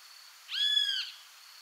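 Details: Great Kiskadee in Argentina: a single drawn-out, clear, slightly arched note lasting about half a second, over a faint steady background hiss.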